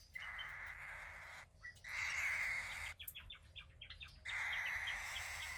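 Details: A 15-day-old cockatiel chick, a grey female from a pied cockatiel pair, makes three sustained raspy hissing calls, each over a second long. Short clicky chirps fill the gap between the second and third calls.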